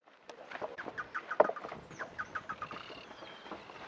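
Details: Chotoy spinetail song: a fast, rhythmic chattering series of harsh clucking notes, repeated steadily for nearly four seconds, loudest near the middle, with faint higher whistles behind.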